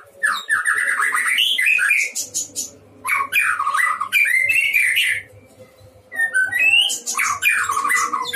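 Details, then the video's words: Energetic song from a white-rumped shama in a breeding cage, loud sweeping whistles, rattling scratchy notes and fluty phrases in long bursts broken by brief pauses. "Murai batu gacor di kandang ternak"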